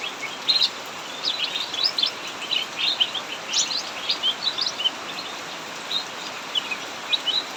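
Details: Heavy rain drums steadily while a cucak mini in an aviary chatters in ngacor fashion: clusters of high, quick twittering notes with short pauses between bursts.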